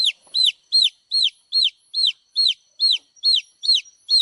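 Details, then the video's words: Baby chicks peeping: high, clear, downward-sliding chirps repeated steadily about every third of a second, bright and insistent, with no other sounds. "cute baby chicks. chicks chirping sound"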